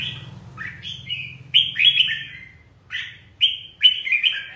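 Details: Red-whiskered bulbul singing well in the 'ché' style, described as fired up ('căng lửa'). Short, bright warbled phrases sliding up and down, delivered in three bursts, with a steady low hum underneath.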